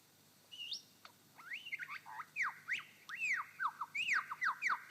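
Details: A male superb lyrebird singing on his dancing mound in Sherbrooke Forest Park mimics a wattlebird with a quick run of loud, arching whistled notes, about one a second, with faint low hum behind.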